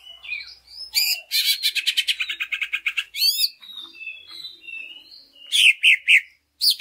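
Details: Lure song of a greater green leafbird meant to get other leafbirds singing: twittering, a rapid rattle of repeated chips, soft drawn whistles, then three sharp, loud notes near the end.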